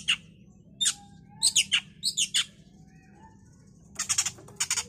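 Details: Oriental magpie-robin on a bait recording intended to make a bird agitated and vocal: spaced harsh, scratchy squawks in pairs and triplets, with two quick rasping clusters near the end over low background hum.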